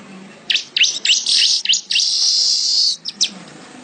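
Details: Weaver (manyar) in full song, meant as a tutor recording for songbirds: sharp high chips leading into a long sustained buzzy hiss, ending with a few more clipped notes.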